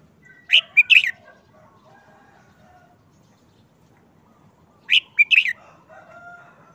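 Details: Red-whiskered bulbul in a cage, moulting for more than a month and subdued, repeats the same brief three-part phrase twice about four seconds apart: a slurred note, a clipped middle note, a rapid warble. Soft, lower, sustained tones linger between them.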